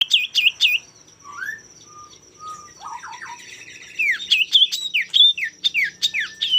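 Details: Male common iora singing to provoke rival birds into song: sharp high chips, then slow slurred whistles, followed by a rapid run of bright downslurred whistled notes, with a faint steady high tone throughout.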